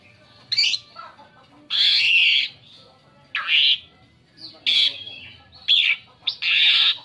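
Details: Lure song of an Asian pied starling used to attract other birds: loud grating bursts mixed with sharp squeaks and whistled notes, delivered in separate phrases about a second apart.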